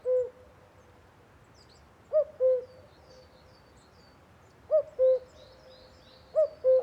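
Common cuckoo giving its familiar two-note 'cu-coo', a higher note dropping to a lower one, repeated three times at uneven gaps; faint high chirps of small birds behind.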